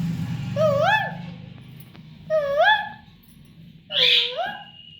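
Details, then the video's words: Young parrot giving three drawn-out, bending nasal calls, each rising then dipping, spaced over five seconds, the last one harsher and higher, with a low hum behind. "Talking Baby Parrot"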